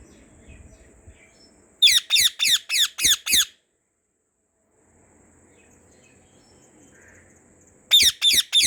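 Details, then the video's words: White rose-ringed parakeet in a garden giving loud, harsh, shrill screeches: a rapid burst of six rasping notes, a pause of quiet, then three more strident notes at the end. "White Ringneck Parrot Natural Sounds | Parrot Natural Calls"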